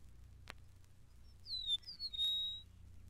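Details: An Eastern Meadowlark on the grassy fringes of the Mountain Lake Sanctuary, Lake Wales, Florida, gives its far-reaching territorial call, a short run of clear, high whistles gliding downward, after a sharp click over a faint low hum.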